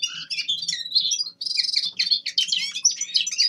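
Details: Young male common linnet practising its song in winter: dense, high twittering and buzzy chatter in two long phrases split by a short break near the middle.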